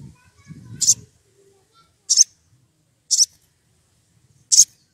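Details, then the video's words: Excited wild sogon calling out to a rival gives four piercing high-pitched notes spaced about a second apart, after a brief low murmur at the start. "Sogon emosi cari lawan"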